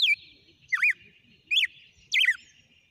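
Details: Red-cowled cardinal, a captive bird, in a good singing sequence: three loud, warbled phrases of bright, slurred notes about half a second apart, over a faint steady high-pitched hiss.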